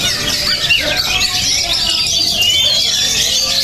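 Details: Oriental magpie-robin described as highly spirited and tough-minded, singing a dense, continuous stream of rapid high warbles, squeaky notes and thin whistles with no pauses, over a steady busy background.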